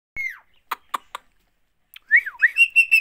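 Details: Parrot, kept as a pet: a sharp descending whistle, then three short clicky notes, then a run of wavering, rising-and-falling whistled notes that settle into steady repeated high tones.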